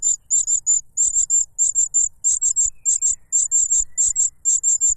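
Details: Cuckoo chick noisily begging for food from its foster father, who stuffs a butterfly into its mouth; very high, thin hissing notes in quick groups of two to four, repeated steadily for five seconds.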